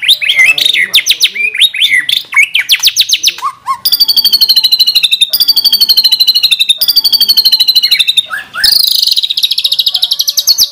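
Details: White-rumped shama (murai batu) training song, full of 'tembakan' shot phrases. Fast repeated high descending sweeps lead into long dense high buzzing rattles, separated by brief pauses and low whistles.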